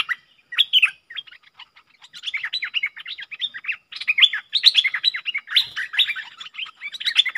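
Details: Streak-eared bulbul pair dueling fiercely in song, recorded 30 October 2021: bursts of sharp, slurred chirping notes, rising and falling, starting sparse then running into a dense, almost continuous chatter.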